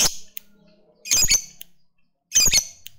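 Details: Hobbyist's fighter lovebird sounding off to provoke an opponent; two rough, rasping high squawk bursts about a second and a quarter apart, preceded by a thin whistled note and quiet background chatter.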